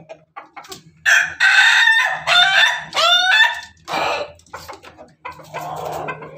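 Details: Laughing-chicken rooster (Ayam Ketawa) crowing in the morning beside hens: a long stuttering crow in several loud rising-and-falling bursts, like chopped laughter, between low clucks and a faint background hum.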